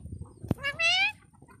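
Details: Talking parrot mimicking a cat: one drawn-out, harmonic meow-like note that rises then falls, preceded by a sharp click. Bengali speech is heard before and after.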